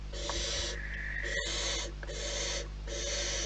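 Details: Wild barn owls at their nest: harsh, breathy hisses in bursts about a second long, roughly one per second, over a steady low hum.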